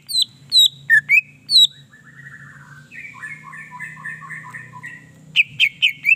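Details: Greater green leafbird song used to stir other leafbirds into singing: sharp descending whistled notes, then a run of rapid chattering two-part phrases in a lower register, ending with loud clipped whistles.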